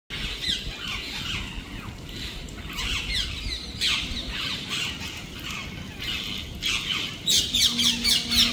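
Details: Parrots around a residential society give harsh, scratchy squawks in quick, irregular bursts. Several calls overlap, and a louder flurry comes near the end over steady low outdoor background noise.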